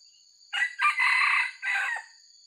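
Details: Crow of an original wild red junglefowl with white legs, a call prized by trappers for luring. It comes as four abrupt harsh notes, the third drawn out longest and the last short. A constant high electronic hum runs underneath.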